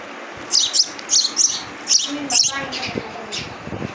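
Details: Baby sparrow giving sharp, high chirps in quick paired bursts, about eight notes in the first two and a half seconds, then fading into softer scattered chirps with faint lower murmurs behind.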